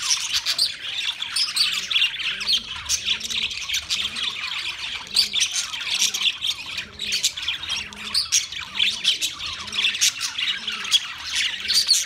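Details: Budgies chirping on 13 March 2024 as a busy chorus of overlapping high squawks and tweets. A faint, regular low pulsing hum runs underneath.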